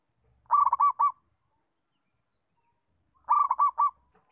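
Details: Local zebra dove (perkutut) song for teaching other doves: two identical phrases about three seconds apart, each a fast, trilling chain of soft coos closing on a longer final note, with faint low rumbles.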